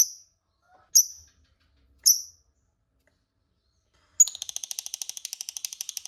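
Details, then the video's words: Lovebird calling as a lure for rival birds to answer: three sharp high chirps about a second apart, then a pause, then a fast rattling ngekek chatter of rapid clicky notes to the end. "Pancingan Lovebird Paling DiSUKAI Lawan AUTO Nyaut Ngekek Bersahutan, Burung Lovebird Ngekek Panjang"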